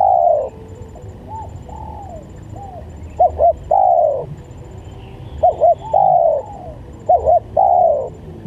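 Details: Repeated spotted dove coos for luring doves, each phrase opening with a pair of short clipped notes and ending in a longer, louder, mellow coo, recurring roughly every two seconds over soft hiss.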